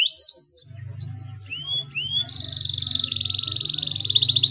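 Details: Canary song played to get silent canaries singing: a sharp chirp, short rising whistles, then a long rapid rolling trill that grows louder toward the end, over a low background hum.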